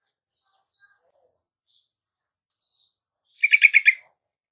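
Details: Yellow-vented bulbul, a caged bird, heard as a lure to coax a reluctant bird into singing: a few thin high whistled notes, then a loud burst of rapid bubbling chattering notes at the end.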